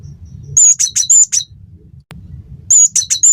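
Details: Cinereous tit, from a tutor recording for training kept birds to sing, gives rapid runs of sharp, high piping notes in two short bursts, with low rumbling noise between them.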